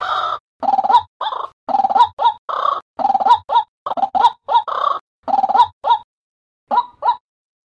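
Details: White-breasted waterhen calling by day, a recording used as a trapping lure: harsh, croaking "kru-ak" notes given in quick irregular bursts, about a dozen in six seconds, then a short pause and two more.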